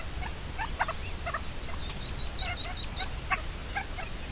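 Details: Red-legged partridge defending its chicks, recorded 29 May 2023: rapid series of short, harsh, clipped notes repeated irregularly, with thin high squeaky notes above, over a low steady rumble of background noise.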